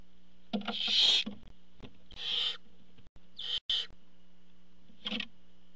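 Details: Barn owls at the nest as the parent delivers food; a cluster of rasping hisses and screechy snores, several overlapping, with clicks and a faint hum behind.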